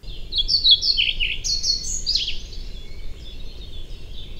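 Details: A European pied flycatcher sings loudly and often: a clear, rhythmic phrase of about 2 seconds with some repetitions, jumping between high and low notes.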